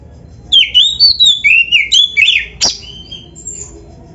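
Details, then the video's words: Oriental magpie-robin, a caged bird singing on a training recording in the busy 'gacor full isian' style. It gives a rapid run of clear whistled notes that slide up and down, about two per second, and ends with one sharp, loud rasping note. "MASTERAN KACER GACOR FULL ISIAN JOS"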